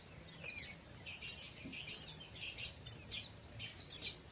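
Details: Oriental white-eye, a raw untrained bird, delivering ngeriwik-style chatter: bright, high, twittering chirps in quick pairs and runs, over a dozen notes in about four seconds, close and clear.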